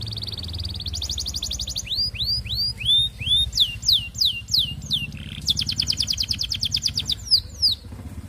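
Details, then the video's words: Courting canary song used as a lure for other canaries: a bright buzzing trill, a row of curved swooping whistles, then a long, fast, rolling trill that fades on a slur. "Kenari Gacor Panjang MERAYU BETINA Cocok Buat Pancingan Semua Jenis Kenari Biar Ikut GACOR NGEROLL"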